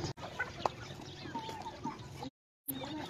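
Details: Soft, low chicken clucks rise from a busy, rustling background, interrupted by a brief moment of total silence.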